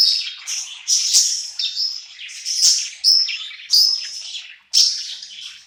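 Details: A budgerigar sings happily at night after moving to a new home, a continuous high chattering warble broken into bursts, each starting with a crisp bright note roughly every second.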